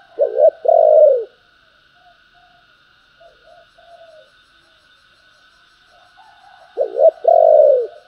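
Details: Spotted dove in its gáy thúc and gáy gọi cooing styles. Two phrases a few seconds apart, each a quick stuttered double coo, then a longer sustained coo that sinks at the end. Soft coos and a thin steady tone sit in between.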